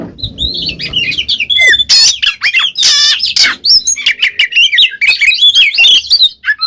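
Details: Oriental magpie-robin song used as a lure to get a silent bird to answer: loud, varied phrases of high whistles, harsh buzzy bursts and rapid chattering notes, with frequent abrupt changes in tone.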